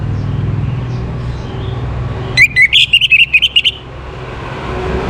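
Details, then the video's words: Orange-headed thrush recorded in the morning as a breeding-condition stimulus, giving one phrase of about ten rapid, sharp whistled notes after a quiet stretch of low background noise. "Naikan Birahi ANIS MERAH pancingan PAGI HARI Ini efektif supaya Burung jadi gacor & Teler"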